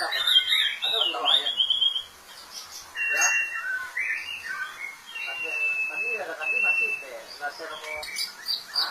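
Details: White-rumped shama singing a varied run of clear whistled phrases: high sharp notes, then long steady level whistles and quick slurred trills, delivered in bursts separated by brief pauses.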